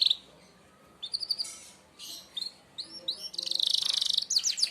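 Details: Merlok canary giving a 'tembakan tajam' (sharp shot) song used to tutor other birds: scattered bursts of high chirps and rising sweeps separated by pauses, then a dense rapid trill near the end.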